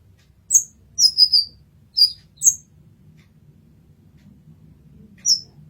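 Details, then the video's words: Brown-throated sunbird masteran recording: a few shrill high chirps including a quick triple note in the first three seconds, then near silence with a low hum before one final sharp note. "Kolibri Ninja Masteran"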